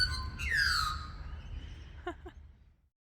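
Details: In spring, an Australian magpie sings a rich, fluting phrase that slides downward, followed by two short clipped notes, over a low background rumble.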